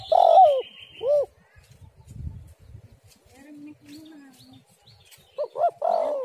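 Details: Female spotted dove calling as a lure: a drawn-out hoarse coo and a shorter arched note, a quiet stretch with a soft low hum, then a closing cluster of coos.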